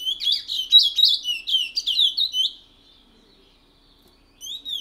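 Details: Long-lived caged Chestnut-bellied Seed Finch from French Guiana performing the Matiti regional song: a dense run of quick, high warbled notes for over two seconds, silence, then the phrase restarting.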